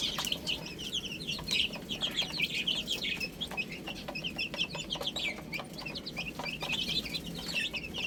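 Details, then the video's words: 1 "Adorable Little Chicks Chirping Sounds"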